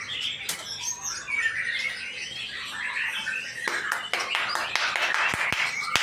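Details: Male white-rumped shama from Indonesia giving a busy, chattering and squeaky song of rapid mixed notes, with several sharp clicks in the final seconds.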